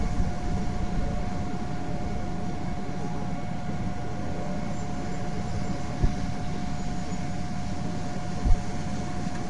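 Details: Steady low mechanical rumble with a constant tone, like a fan or distant engine, and two brief knocks near the end; no animal voices.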